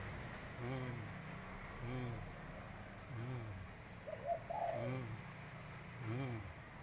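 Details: Tame spotted dove playing with a person's hand, giving soft, low, hollow coos repeated roughly every second and a quarter, each a short rolling phrase; a quiet human voice briefly intrudes midway over faint background hiss.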